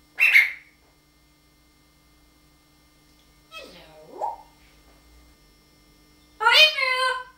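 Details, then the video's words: Talking parrot kept as a pet: a sharp raspy squawk, then a low, swooping, voice-like phrase, then a loud, strained, harmonic cry with stacked overtones. Quiet room hum continues throughout. "the incredible talking Parrot"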